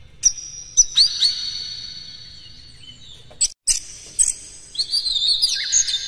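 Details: Oriental magpie-robin song used as a training lure to excite other magpie-robins: scattered sharp high chips, a long sustained ringing whistle, a short break, then a busier run of slurred whistles and twitters.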